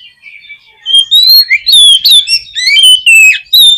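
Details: Oriental magpie-robin (kacer) song, played to provoke a pet bird into singing: loud, clear whistled phrases, some rising and falling sharply, delivered in quick bursts with short gaps and no other notable sounds.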